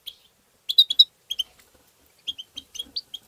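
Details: Short goldfinch sequence to encourage goldfinches: a quick cluster of four bright chirps, two more notes, a pause, then a final run of five tinkling, slightly rising calls.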